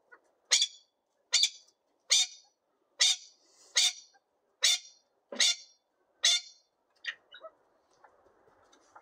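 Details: Young Lady Amherst's pheasants, 2024 hatch about two and a half months old, still unsettled with a person present, giving a series of sharp, harsh single notes about once every 0.8 seconds, eight strong ones then fading into softer chips.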